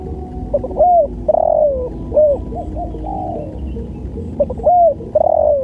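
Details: Spotted dove giving a loud, melodious cooing song: mellow hooted phrases, each a short note followed by a longer rolling coo, repeated about three times over a low background rumble.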